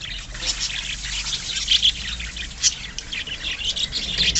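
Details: Pet budgerigars in a colony keep up busy high-pitched chatter, sharp chirps and short squeaks overlapping, with a few louder piercing notes standing out near the middle and end.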